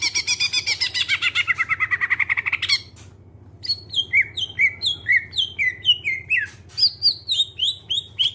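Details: Greater green leafbird with clear voice, song used to prompt other birds to sing: a long fast rattling trill, brief silence, then crisp downslurred whistles repeated about four per second, low hum beneath.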